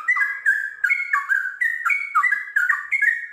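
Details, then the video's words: Trucukan (Sooty-headed bulbul) pouring out rapid liquid whistled phrases, each a quick stepped slur, about three per second, clean and loud. "TRUCUKAN GACOR ngiwir lanjut ROPEL PANJANG"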